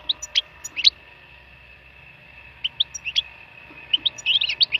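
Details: Wild European goldfinch singing: scattered bright, high chirps and short twittering notes in two loose bursts separated by a pause of nearly two seconds, over a steady faint high hum.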